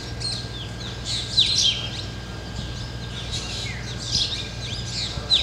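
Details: Flock of Black drongos (Dicrurus macrocercus) sitting in a tree in the jungles of Ranthambore, Rajasthan, calling together with sharp, high chirps and metallic notes overlapping in irregular bursts, over a steady low hum.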